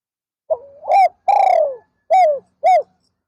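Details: Spotted dove serving as a decoy for wild doves, heard in the afternoon. One full cooing phrase: a thin wavering start, a rising swell, a long sliding coo, then two clipped arched coos.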